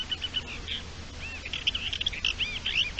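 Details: Courting Thekla's lark on 27 March 2021 singing a fast run of clear, high, slurred whistles and warbled notes, some rising and falling in arcs, delivered almost continuously over faint low background hum.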